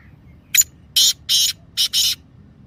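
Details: Kala Teetar, the black francolin, calling, meant to prompt silent pet birds to respond. A sharp note followed by four loud scratchy rasps arranged in two close pairs.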